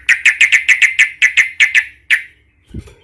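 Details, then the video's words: Angry fighting song of a sooty-headed bulbul, 'cuk cuk ngamuk' in the 'Tarung Garuda' style, played to stir other bulbuls. Rapid string of about eleven sharp, even 'cuk' notes, then a dull thump. "Suara trucukan gacor Cuk cuk ngamuk Tarung Garuda"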